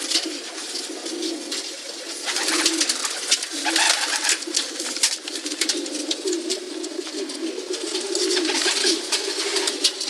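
Several pigeons coo in low, throaty, rolling phrases that overlap continuously, with a steady hiss of rustling and scratchy background noise in an enclosed space.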